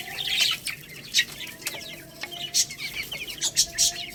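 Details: Young Lohmann Brown chickens, a growing little rooster and baby hen, eating rice; a busy stream of high, short peeping chirps with several falling notes, overlapping thin twitters and soft flapping or scratching sounds.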